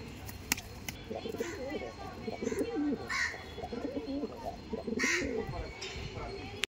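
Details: Giribaz pigeons producing low, bubbling coos alongside human talking, with scattered sharp clicks and a few higher chirps in the background.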